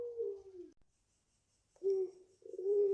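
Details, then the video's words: Barbary dove, called puter pelung, five months old and bred in its keeper's garden, giving a falling low coo, a second of silence, then a renewed steady hollow coo of its long voice. "SUARAPANJANG PUTERPELUNG"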